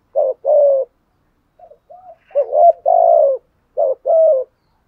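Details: Decoy spotted dove cooing to lure wild doves: two short mellow coos, a pause, then soft lead-in notes and a longer rolling coo phrase, repeated again; low, hollow tones with no other sounds.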